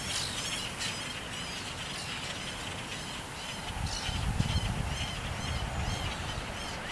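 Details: A vast flock of common grackles, put at about 10 million, in its nightly fall aerial display in Central Ohio before landing in honeysuckles: a dense, constant chorus of squeaky, creaking, rapid overlapping chatter over a steady low rumble.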